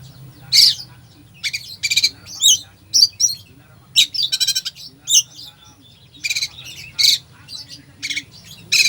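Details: Oriental magpie-robin song rich in fill-in phrases, played to provoke a sluggish bird. A lively, nearly continuous run of high chirps, rattling trills, buzzy notes and whistles continues for about nine seconds.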